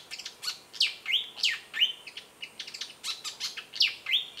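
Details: Perched Malaysian pied fantail singing at Lung Sin waterhole in Kaeng Krachan National Park, Thailand, a bird of mangroves and forest edge: fast squeaky chatter with bright falling whistles, steady and busy throughout.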